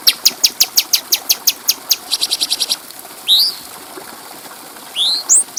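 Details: Stripe-throated bulbul (cucak cungkok) training song for tutoring other birds: an even series of sharp high chips speeding into a quick rattle, a pause, then rising whistled slurs.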